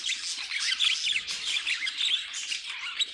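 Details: Caged budgies in song, with sharp squawky chirps and buzzy twitters packed tightly together in a lively, nonstop chatter.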